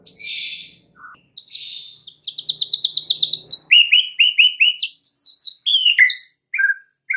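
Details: Lure song of a white-rumped shama meant to make other shamas sing and expand their repertoire. Harsh buzzy notes open, then a fast run of repeated high chips, followed by lower, descending whistled notes in rapid series.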